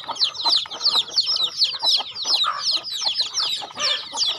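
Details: Chickens on a farm calling as they are fed, bright high peeps slurring downward in pulsing bursts roughly twice a second, several birds overlapping, with some lower chirps mixed in.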